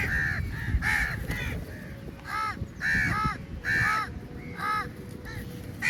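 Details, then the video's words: A very large number of crows descending on food at feeding time; repeated harsh, loud caws from several birds, some overlapping, with low background rumble and faint knocks. "Very Large Number Of Crows Attack On The Food | Crow Feed Time | Crow Sounds Very Loudly"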